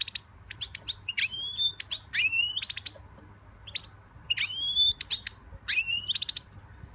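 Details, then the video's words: Young pet European goldfinch singing: bright, ringing notes that rise and hold, mixed with sharp short chirps, delivered in lively bursts with brief pauses between groups. "My young European goldfinch singing"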